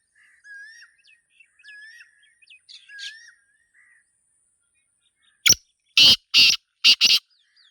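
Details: Wild black francolin (Sindhi Teetar) recorded in nature. Faint twittering of small birds comes first, then the francolin's loud rasping phrase: a sharp click and four broad, grating notes delivered quickly in a row.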